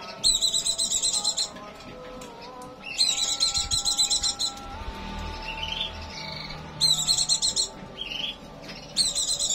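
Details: White-eye in breeding condition delivering quick bursts of sharp, high twittering notes roughly every three seconds, with shorter thin whistled phrases in the gaps over faint steady lower tones.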